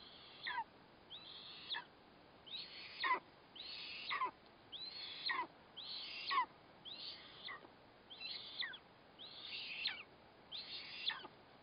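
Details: At the nest, an eastern imperial eagle feeds its chick a captured black kite, 4 August 2024; a steady series of about ten harsh, high calls, each a flat screech ending in a falling slur, roughly one per second.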